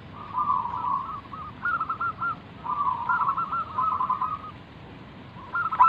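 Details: Local wild zebra dove singing actively, used as a lure to prompt other zebra doves to answer: soft, rolling coo phrases at steady mid pitch, broken into short trilled bursts with brief pauses, over a faint background hiss.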